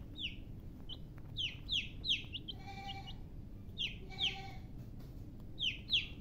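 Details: Baby chickens chirping: high, sharply falling whistled peeps in quick pairs and triplets, separated by short pauses, with a lower, buzzier harmonic call heard twice and a steady low rumble underneath.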